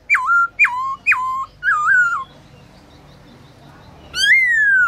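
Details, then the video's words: Black-throated laughingthrush in training sings at midday in forest-voice style: four punchy whistles falling then levelling, a pause, then one long note that rises and eases down. "Khướu bạc má HÓT BUỔI TRƯA cực hay , Luyện khướu bạc má hót cả ngày, khướu bạc má hót giọng rừng"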